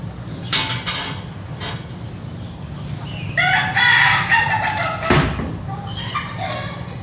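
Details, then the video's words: Laughing chicken roosters in an afternoon garden of the breed: several overlapping crows, one long stuttering run of rapid repeated syllables in the middle, with other birds calling nearby and low steady background rumble. "Taman Ayam Ketawa"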